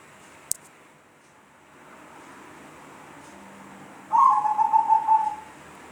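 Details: Zebra dove making an odd call: after a sharp click and a stretch of quiet, a single quavering, buzzy-trilled coo of just over a second.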